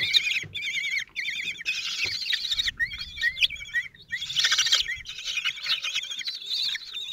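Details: Common kestrels at the nest in Théding, France, 26 June 2023, the father feeding four chicks aged 16 days: wavy, rapidly modulated high trills in repeated bursts with brief breaks, soft rustling below.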